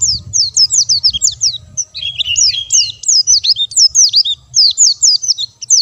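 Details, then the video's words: Energetic white-eye song, bird not given stimulants: loud, sweet, very high downslurred whistles delivered rapidly and rhythmically, with a brief thinner warble near the middle. "burung pleci gacor dor tanpa doping"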